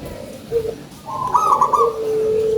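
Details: Actively singing local zebra dove with a big voice: a short low coo, then a higher rippling trill that drops into a sustained low cooing note.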